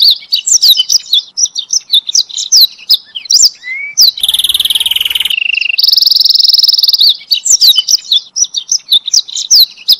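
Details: Canary song meant for training other canaries: scattered quick chirps and slurred notes, interrupted by two steady buzzing trills in the middle, then more scattered chirping.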